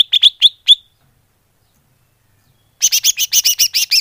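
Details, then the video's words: Greater green leafbird call for luring birds: a few bright, downslurred chirps, a silent stretch, then a fast even series of ringing, doubled notes. "Suara Pikat burung cucak hijau / leaf bird call"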